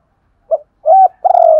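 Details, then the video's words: Spotted dove lure bird in double-voiced calling coo, known as hai hậu. A brief soft pickup note, then a smooth level coo and a longer throaty, slightly trembling coo. "cu gáy giọng đôi hay còn gọi là hai hậu gáy gọi"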